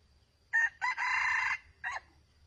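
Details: Red junglefowl crowing during a long wait at a junglefowl trap set with a decoy bird: a short harsh opening note, a broken rasping middle, then a clipped final note, all over a low steady hum.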